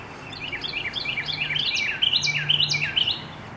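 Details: Carolina wren in full late-afternoon song, a chain of quick, bright, slurred phrases repeated steadily, growing louder and richer halfway through, over a faint low hum.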